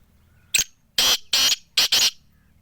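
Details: Black francolin from Sindh calling: a short sharp note followed by four loud, harsh, broadband grating bursts in quick succession, the last two closely paired, over a quiet background.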